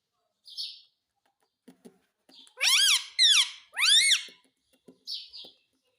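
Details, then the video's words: Talking Indian ringneck parakeet saying "mummy mummy": three loud, harsh, arching rasping syllables in a quick run, bracketed by softer short squeaks and faint clicks. "मम्मी मम्मी बोलने वाला मिट्ठू || Talking Parrot || Mummy Mummy Bolne Wala Parrot"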